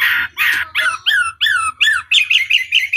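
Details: Chinese hwamei singing as a lure to provoke rivals into replying: two harsh, raspy bursts, then a series of sweeping whistled notes that shorten and quicken into rapid chirps, steady low hum beneath.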